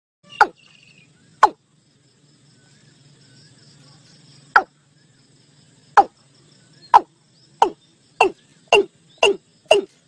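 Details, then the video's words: Watercock (cúm núm, gà đồng) calling, as used to draw the flock into a net: about ten sharp, falling notes, first widely spaced, then quickening to about two per second near the end, over a faint low hum. "Tiếng cúm núm (gà đồng) mới nhất gọi đàn vào lưới."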